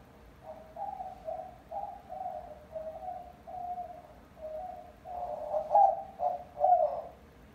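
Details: Young pet white-winged dove, a rescued bird nearly five months old that now coos all day, giving a long series of low, hollow coo notes in steady pulses, the last few louder and rougher.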